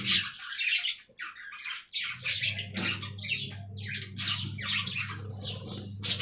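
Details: Budgerigars in an aviary colony giving a quick series of separate squawks and chirps, short bursts spaced irregularly after a short pause near the start, with a low hum behind them.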